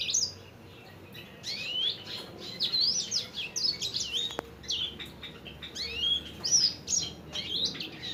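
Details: Sanger bird song used to train caged birds: scattered high chirps building into dense twittering phrases with sharp up-and-down slurred notes and one brief click.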